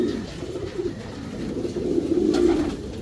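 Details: Racing Homer pigeons in a breeding section, a soft, low, continuous burbling coo rising slightly in loudness toward the end against background hum.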